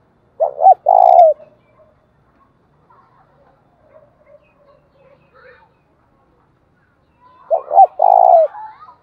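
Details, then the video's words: Spotted dove decoy calling to provoke rivals. Two three-part coos, two short hoots and a longer throaty note each, sit about seven seconds apart, with faint scattered twittering in the quiet gap. "cu gay kich boi nhanh noi gù"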